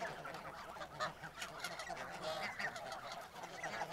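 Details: Snow geese, a flock of over 1000 including first-autumn juveniles from Russia, feed in a harvested dent-corn field at Urahoro, Japan, in November 2020, many overlapping nasal honks and yelps running together, with a brief louder burst near the start.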